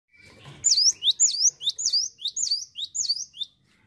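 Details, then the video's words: Cinereous tit singing energetically: a fast series of six high, sharp two-note phrases, each a bright downward-then-upward whistle, repeated about twice per second over a quiet background. "GELATIK WATU GACOR NGETROLL"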